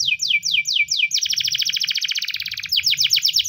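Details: Spanish timbrado canary giving a morning training song: four quick descending whistles, then a long, dense metallic trill, ending with sharp falling sweeps; soft low rumble behind.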